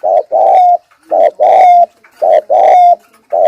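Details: Lure spotted dove cooing in the 'thúc gù' style: three phrases, each a short hollow coo followed by a longer drawn-out coo that slides into a thin whistled tail, repeated about every second.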